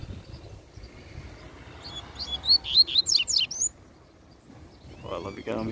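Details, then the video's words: Double-collared seedeater with a brownish back and a black breast, singing in nature: about a second of bright, high, fast chirping notes rising and falling, with a man talking softly before and after. "Coleiro Na Natureza Muito Fibrado Troncando Canto"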